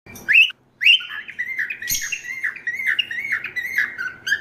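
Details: A cockatiel just moved into a home gives loud, rising whistled chirps followed by a run of quick chattering notes.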